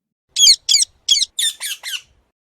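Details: Parrot squawking: six short, harsh, high-pitched squawks in quick succession over about 1.7 seconds, the later ones slightly softer; no background sounds.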